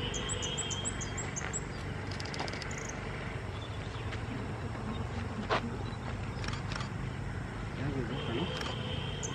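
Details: Pale-billed flowerpecker preening, puffed up and calling at Sondekuppa Kere on 16 July 2023: thin, very high, clipped ticking notes in a quick run, then again near the end, over low rumble and faint insect drone.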